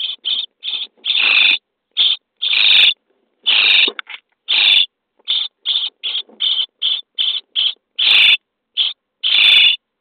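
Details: Nest box of common starlings, day 23: nestlings being fed beg with a dense series of short and longer raspy, hissing bursts, about seventeen in ten seconds.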